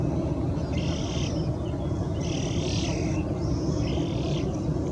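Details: Young Eurasian spoonbill begging behind an adult: three raspy, wheezy bursts, each lasting under a second, over a constant low-pitched rumbling background.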